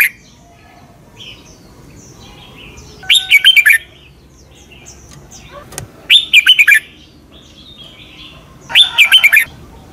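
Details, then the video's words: Red-whiskered bulbul performing the southern Thai doubled master song for training birds: three brief whistled phrases of fast notes, each repeated roughly every three seconds over a low hum. "เสียงนกกรงหัวจุก เบิ้ล แม่บทใต้"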